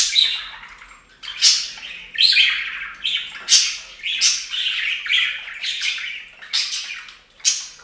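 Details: Bathing budgerigars utter repeated short chirps and squeaky chatter notes, each often opening with a sharp broadband click, coming in quick irregular runs of roughly one or two per second.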